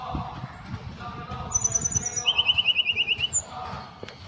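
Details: Ashy tailorbird (tledekan gunung) in full wiksar song. A thin, very high buzzy trill is followed by a fast, evenly spaced series of about a dozen short chipping notes.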